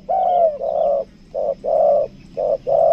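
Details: Spotted dove lure bird of the two-note 'kuk dua' type from Lombok, Indonesia, offered for sale: mellow low coos in paired blocks, six hooting notes within three seconds, with a faint steady high whine behind.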